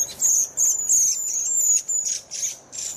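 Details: A redwing utters sharp, high-pitched, thin notes in an uneven rhythm, some followed by brief rustling or scratchy bursts.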